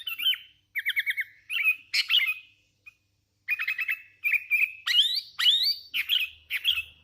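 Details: Hand-raised sooty-headed bulbul singing actively: bursts of bright chirps and short rattled trills near the same pitch, then rising slurred whistles in quick succession, with a brief pause midway.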